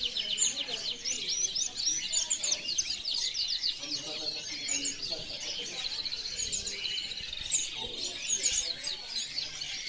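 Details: European goldfinch song: a dense, continuous twittering of fast, high chirps and buzzy trills throughout, with faint low tonal notes underneath.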